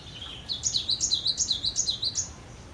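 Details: Cinereous tit, a singing bird in full voice, gives a rapid run of about sixteen high, sharply rising and falling notes, repeated evenly over roughly two seconds, with faint low background hum.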